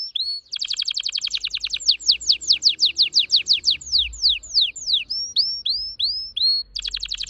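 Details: Orange-red red factor canary sings fast: a short whistle, a rapid buzzy high trill, a long series of descending sweeping notes, several upturned whistled notes, then another quick trill.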